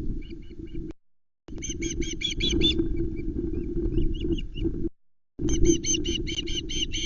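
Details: Osprey chicks at the Loch Arkaig nest, 19 July 2020, calling while a trout is delivered and fought over; bursts of fast, high, even-spaced piping whistles over steady low wind noise, with short silent breaks.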